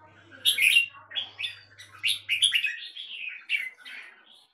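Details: Captive red-whiskered bulbul giving a run of clear, bubbling whistled phrases, each short and slurred, delivered in quick succession over a faint low electrical hum.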